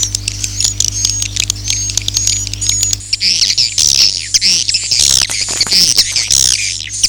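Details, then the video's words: Swiftlet sound, Akau ngaji style: faint thin whistled notes at first, then a loud burst of dense high twittering and rasping chirps packed closely together, with a low background hum. "suara walet Akau ngaji Original"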